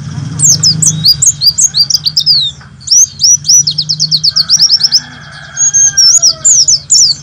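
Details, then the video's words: Pleci, the warbling white-eye, delivering 'nembak' tutor song for morning play to trainee birds, long fast strings of sharp high chirps and whistled notes over a continuous low background hum. "Masteran Pleci Nembak 2018"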